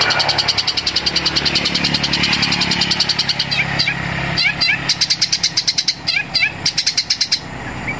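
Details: Long-tailed shrike singing in fighting style: a long, evenly pulsed rasping rattle, then sharp chirps and buzzy bursts in quick series, with low background rumble.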